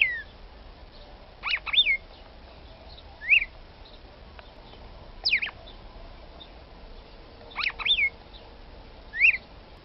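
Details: Female red-cowled cardinal calling to stimulate a male: sharp, high chipping notes with quick slurs, given singly or in pairs about every two seconds over a soft hiss.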